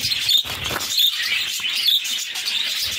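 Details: Budgerigar chicks, six in a captive brood, beg as their mother feeds them. Harsh buzzy chattering carries three thin whistled squeaks, spaced roughly three-quarters of a second apart.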